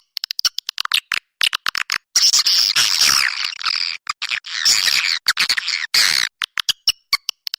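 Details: Swiftlet calls used to attract swiftlets, edited together: sharp high clicks spaced through the clip, mixed with longer buzzy, chattering twitter bursts.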